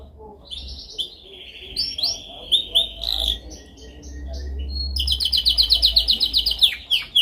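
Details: Canary song for training: a soft steady trill and scattered sharp notes, then loud rapid rattling trills with clipped repeated notes in the last two seconds, over a low background rumble.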